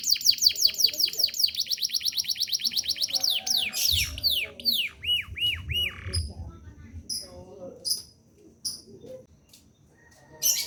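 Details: Domestic canary in vigorous rolling song, meant as a master for training other birds: a rapid pulsed trill, sweeping downward whistles and arched notes, then scattered short high chips with brief gaps.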